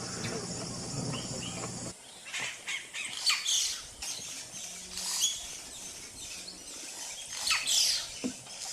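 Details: Yellow-rumped cacique making a lot of noise: a loud burst of broadband noise for two seconds, then a varied jumble of sharp, high chirps, squeaks and whistled notes at irregular intervals.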